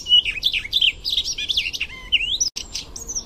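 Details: ['Icterine warbler delivering a dense burst of high, twittering song with quick rising and falling whistled slurs and short chattering notes, briefly interrupted near the end.']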